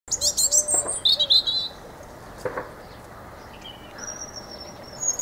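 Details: A European robin sings a fast, high, thin phrase of tumbling, liquid notes, then a pause before softer, drawn-out whistles, with faint clicks in the background.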